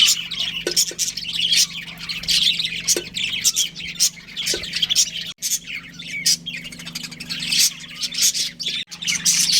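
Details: A breeding pair of budgies chirping: rapid high tweets mixed with scratchy warbled chatter, dense and continuous, with a faint steady hum below.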